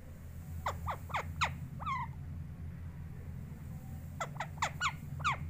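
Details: Pet parrot calling: two bursts of short, sharp notes sweeping downward, four or five in each burst, with a steady low hum underneath.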